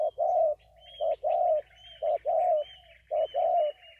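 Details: Vietnamese spotted dove repeating a short coo followed by a longer, fuller coo, about once a second, with thin high chirps from another bird faintly in the background.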